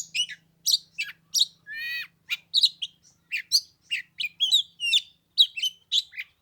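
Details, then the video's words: Oriental magpie-robin singing on the third day of Lunar New Year in 15-degree cold, played for an hour without a rival coming down to fight; loud, varied rapid phrases of sweet whistles, sharp chirps and a buzzy rasping note, with brief gaps. "Chòe than mùng 3 tết cái lạnh 15 độ chơi 1 tiếng chim k xuống đánh"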